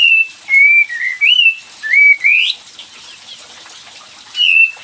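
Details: Lure call of a cream-vented bulbul: a bubbling series of slurred whistles climbing to a high upsweep, then a pause and a single further whistle, with steady hissing noise underneath.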